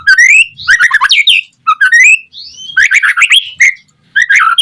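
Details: White-rumped shama song used to draw other shamas into singing: short bursts of varied whistled and chattering notes, rising slurs and harsh squeaky elements, separated by brief silences.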